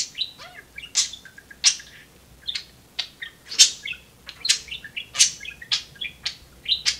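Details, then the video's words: Pet budgerigar chattering while playing on perches and cages, with quick bright chirps, clicks and short warbled notes in rapid irregular bursts, a second budgie kept alongside; no clear words stand out. "Talking budgie says "Hey Siri""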